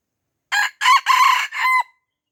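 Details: Crow of a red junglefowl from Aceh that refuses to fight the young birds surrounding it; a clipped first syllable, two harsh loud notes, then a shorter tonal tail note, all in quiet surroundings.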